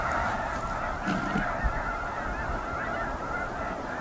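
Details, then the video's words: Snow goose flock honking nonstop in a thick overlapping chorus, with a couple of soft low thumps early on. "雪雁/Snow Geese"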